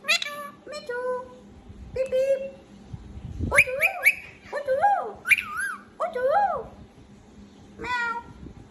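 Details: A pet green talking parakeet gives nasal, speech-like chattering notes, then a string of bright, wavering whistles that rise and fall, ending with more chatter.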